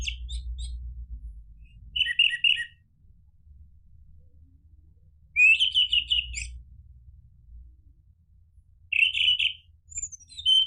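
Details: Orange-headed thrush singing in the 'ngeplong' style used to coax caged birds into replying: three separate bursts of sweet, chattering warbles, each roughly a second long, spaced by pauses, with a soft low rumble in the background.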